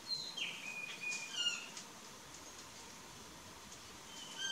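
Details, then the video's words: Plush-crested jay (Cyanocorax chrysops) in its courtship phase: a few short, thin whistled and slurred calls, some dropping in pitch, then a quiet pause and a faint high note at the end. No other clear sounds. "GRALHA-PICAÇA fase de namoro (CYANOCORAX CHRYSOPS), PLUSH-CRESTED JAY, URACA"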